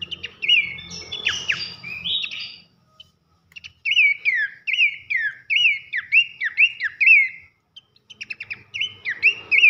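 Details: Pelanduk semak, Abbott's babbler, in a loud 'nyiul' masteran for training songbirds. A tangle of sharp whistles and a pause give way to a steady run of rising-falling whistled notes, several per second, then clipped chips.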